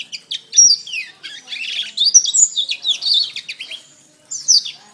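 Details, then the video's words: Canary training song: bright high whistles and rapid trills in a continuous chattering stream, a few sharp clicks at the start, then a short pause before a final burst. "SUARA BURUNG - Masteran Terbaik Kenari"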